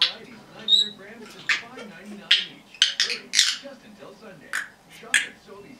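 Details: A 10.5-month-old female red-bellied parrot, a chatterer that talks, whistles and mimics chickens, gives a thin whistle, then a run of harsh, broad squawks and chatter every half second or so, with a faint murmur behind.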